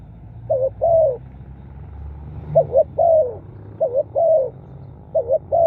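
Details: Spotted dove crowing, meant to attract wild birds: repeated low phrases of a brief wavering double coo and a sustained downslurred note, four phrases in under six seconds, with faint low background noise.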